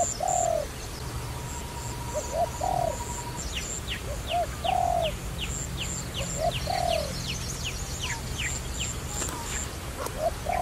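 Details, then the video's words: Trapping dove giving paired short coos, each a quick rising then falling note, spaced every second or two, amid repeated high downslurred chirps and thin whistles of other birds. "Wonderful Trapping Dove"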